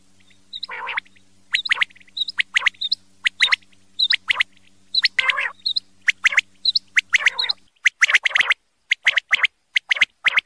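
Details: Male common quail calling, sharp broadband notes in quick bursts of two and three, repeated throughout with short gaps, plus high hooked chirps and a faint steady low hum in the background.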